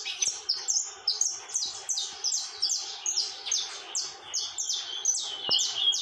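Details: Saffron finch, or canário-da-terra, singing without stopping: rapid high chirps sliding down in pitch, grouped in rhythmic phrases, with a faint steady tone and an occasional click.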